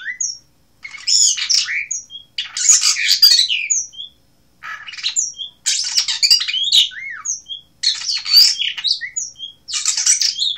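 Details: Asian blue rock thrush singing steadily: repeated harsh, chattering bursts laced with high thin whistles and downward slurs. The phrases are separated by short pauses roughly every one to two seconds.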